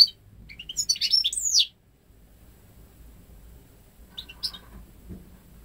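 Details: Ten-month-old home-bred goldfinch × canary hybrid from May 2013, reared without male canaries and singing goldfinch phrases only, delivers a fast liquid twittering run with a rising-falling slurred note, then silence and a brief later chirp.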